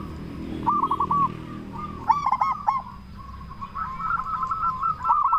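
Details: Zebra dove, local type with a loud voice, cooing to lure other zebra doves into answering; short bubbly phrases of quick rounded notes, a louder burst midway, then a steady run of softer rolling coos.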